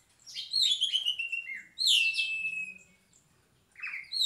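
An Asian pied starling sings loud, clear whistles that slide downward, broken by brief pauses.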